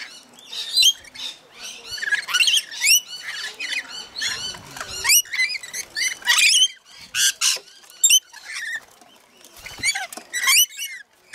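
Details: Several rainbow lorikeets (Trichoglossus moluccanus) feeding, chattering nonstop with shrill, grating screeches and squeaky chirps overlapping in quick bursts.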